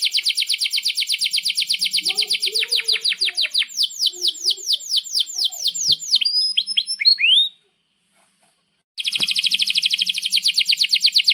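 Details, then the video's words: Canary in full song for training young birds: long fast trills of repeated sweeping notes, slowing into separate upslurred whistles, a brief silence, then another rapid rolling trill. "Kenari GACOR PANJANG INI Cocok untuk Masteran KENARI PAUD dan Kenari Macet BUNYI"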